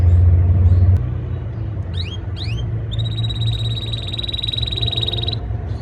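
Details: Canary in breeding season singing to impress a female: two quick rising whistled sweeps, then a long, fast, steady high trill lasting over two seconds, set against a strong low rumble and a knock early on.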